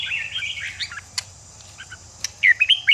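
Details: Red-whiskered bulbul phrase meant to fire up a bird for fighting song, with a scratchy warbling run at the start, a quiet middle with two sharp clicks, then loud clear whistled notes closing.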